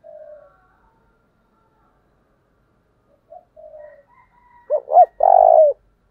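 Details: Caged decoy spotted dove calling to provoke wild birds: soft low coos, then two loud hooked notes and a long, loud, burry coo, with a faint dove answering from further off.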